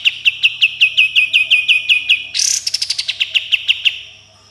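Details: Sooty-headed bulbul delivering 'tembakan' rapid-fire notes and coarse 'besetan'. Sharp whistled chips repeat about three times a second, then a rough rasping blast turns into a quicker pulsed rattle that trails off.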